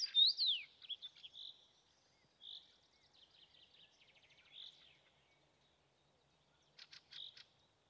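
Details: A Common Rosefinch sings on a May evening, giving short, high whistled notes, some sliding up and down, separated by pauses, with a faint rattling series and a few sharp ticks.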